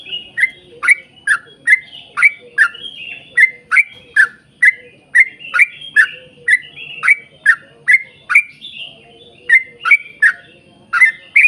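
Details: Long rapid song of a yellow-vented bulbul, used to stir other bulbuls into singing: steady repeated chirps, each sliding down then up, delivered about twice a second with scattered higher whistled notes.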